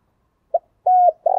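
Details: Part of a spotted dove phrase meant to stimulate freshly caught doves into the thổ voice: a brief blip, a level sustained coo, then the start of a rolling, vibrating note, all low-pitched.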